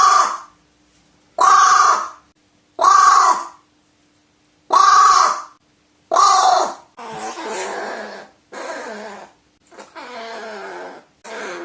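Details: Crow giving five loud, harsh caws about a second apart, followed by a series of rougher, raspier drawn-out calls.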